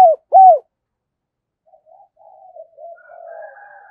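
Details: Decoy spotted dove luring wild doves to coo: two loud, low, arched coos close together, then silence and a run of soft, wavering distant coos rising in volume toward the end.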